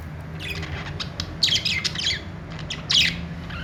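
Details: Happy budgies in a flock pour out dense bursts of warbling chirps and squawks, busiest in the middle and near the end, with a low droning hum throughout.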